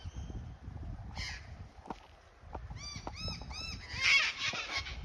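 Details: Sulphur-crested cockatoo in Australia giving a harsh, grating screech after a run of short, arched squawks.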